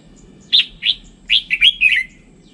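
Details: Red-whiskered bulbul with a standard voice singing a quick phrase: two clear whistled notes, then a rapid run of warbling notes that slide downward at the end, over a faint low hum.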